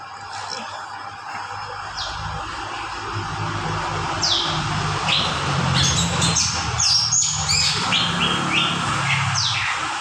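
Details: Greater green leafbird singing a lively medley of slurred whistles and quick chattering notes that builds in the second half, over steady low hum and background noise.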